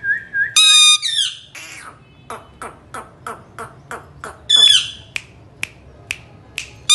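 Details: Pet parrot, possibly an Indian ringneck, talking: a short whistled note, loud harsh squawks with rich harmonics, then a run of crisp clicking chirps roughly every third of a second, another squawk, and more spaced clicks.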